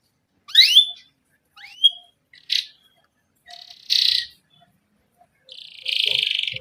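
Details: Canary giving sparse chirps and short call notes, used as a lure for young canaries: rising whistled chirps, then brief buzzy bursts separated by gaps of about a second.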